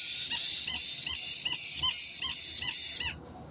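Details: White-bellied caique parrot, 29 March 2022, keeps up a loud series of shrill, rasping screeches, each about a third of a second, for three seconds before falling silent.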